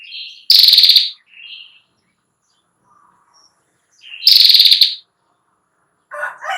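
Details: Female Ashy prinia trilling, a recording meant to train young birds: two loud, buzzy, quickly pulsed trills several seconds apart, each with soft lower notes before or after, and a brief rougher lower sound at the end.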